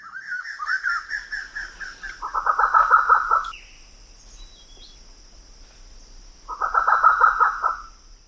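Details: Grey peacock-pheasant at a forest bird-photography hide and waterhole near Kaeng Krachan National Park, Thailand, a bird often heard but rarely seen: two bursts of rapid, harsh, mid-pitched cackling notes about four seconds apart, over steady high insect drone.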